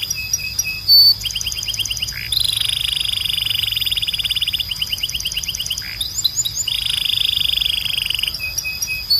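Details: Strong, clean song of a Belgian canary used for training birds: alternating rapid rolling trills and long buzzy tours, broken by a few downward-swept whistles, with a thin steady high tone behind.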